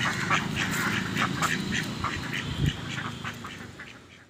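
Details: Duck running in a pond, giving a rapid run of nasal, harmonic quacks, several per second, that tail off in the last second.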